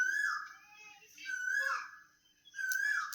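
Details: Asian koel calling outside a home kitchen during a rainy spell, heard indoors while cooking; clear whistled notes near the same pitch, three phrases each slurring slightly downward, with room echo.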